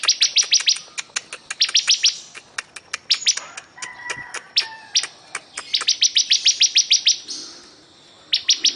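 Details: Bar-winged prinia pouring out rapid song: long chains of sharp, high, ticking chirps with scattered clicks and a couple of lower whistled tones midway, then more quick bursts.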